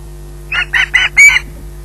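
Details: At Loch Garten an osprey squawks for food, four harsh, high notes in quick succession, each a little louder than the last, on a quiet background.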